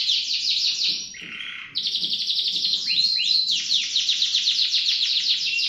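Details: Canary singing nonstop: rapid high trills, a brief lower rasping note, then a long fast roll with swooping slurred notes layered in, steady and loud throughout.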